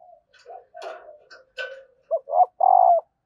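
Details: Female spotted dove calling to make males coo: after some mixed scraping sounds, a phrase of two short coos and a loud, sustained, slightly falling final coo.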